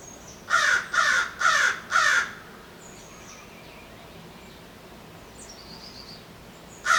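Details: American Crow among city birds near human infrastructure: a rapid series of four hoarse, rasping caws about half a second apart, then a pause with faint distant chirps before one more caw starts at the end.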